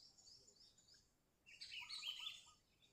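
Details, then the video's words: Lively sooty-headed bulbul song, used to call rivals into singing and as a trapping lure: quiet high chirps, then a loud burst of chattering, warbled notes with lower whistled trills underneath for about a second. "Suara Burung Kutilang Gacor Ampuh Untuk Masteran Pikat Kutilang Juara"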